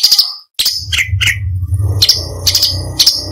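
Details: Cucak cungkok, the orange-bellied leafbird, singing as a tutor for other songbirds: high bright chirps and short metallic trills, some dropping lower, over a steady low humming background.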